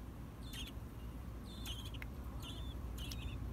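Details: American robin fledglings bill clicking: sharp dry clicks, each paired with a short high chirp, in four bursts about a second apart over a steady low background rumble.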